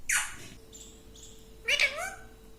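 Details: Pet parrot talking, said to repeat "mittu": a harsh raspy syllable, a couple of faint high squeaks, then a wavering voiced call with bending pitch, over a steady electrical hum.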